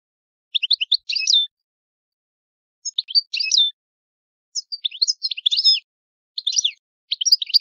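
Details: Old song of an Italian goldfinch: four bursts of rapid, liquid twitters, each a mix of thin rising chirps and denser tinkling phrases, separated by short pauses against total silence.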